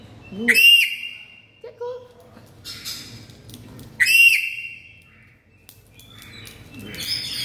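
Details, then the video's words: Black-capped lory giving very loud calls: two strong, arched, harmonic screeches about three seconds apart, each rising then falling, with softer short notes and faint clicks between them. "SUARA BURUNG NURI KEPALA HITAM KERAS!!!"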